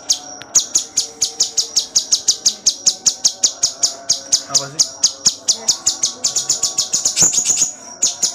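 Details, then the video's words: Cucak cungkok in full gacor song for tutoring songbirds: a long sequence of regular, shrill high chirps near four per second, quickening into tighter bursts near the end. "Masteran cucak cungkok II Full gacor tembakan rapet"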